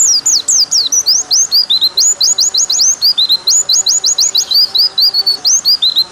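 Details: Continuous white-eye song of high whistled notes, some sweeping sharply upward in tight series, others dipping down, delivered as an unbroken six-second stream of varied slurs.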